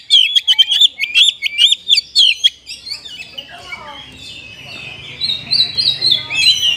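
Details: Oriental magpie-robin singing a filler song that copies the sooty-headed bulbul. It opens with a rapid string of sharp, high chirps, then shifts to softer, rambling warbled whistles over a low background rumble.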